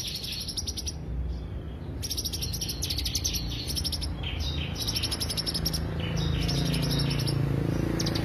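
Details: Lure song of the greater green leafbird, with fast bursts of sharp, high twittering notes in short runs separated by brief pauses, above a constant low droning hum.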